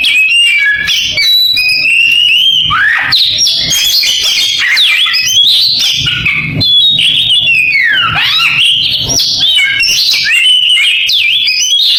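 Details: Extended canary-imitating song of an Oriental magpie-robin, with varied high trills, chirps and deep down-then-up swooping whistles, ongoing with hardly a gap.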